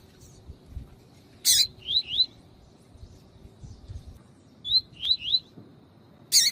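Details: Double-collared seedeater singing the tui tui style with a female calling to stimulate males. Harsh broadband bursts bracket two sets of two or three quick upslurred whistles.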